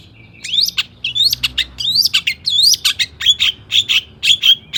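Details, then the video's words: Highly agitated long-tailed shrike song for luring other shrikes to sing: rising whistled slurs followed by steady, evenly spaced sharp chirping notes. "cendet gacor AMPUH EMOSI TINGGI buat PANCINGAN CENDET AGAR BUNYI"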